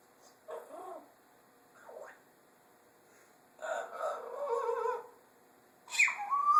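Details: A pet parrot in a talkative mood indoors, producing warbling, speech-like vocal phrases in separate bursts with quiet gaps between, ending in a sharp whistled note that slides downward into a steady tone.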